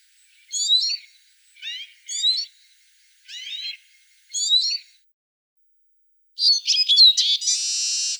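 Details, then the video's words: Eurasian siskin (Spinus spinus): five quick bursts of high, twittering chirps about a second apart, then a dense, wheezy buzzing trill at the end. "Чиж (Spinus spinus), Eurasian siskin. Голос птаха, the voice of a bird."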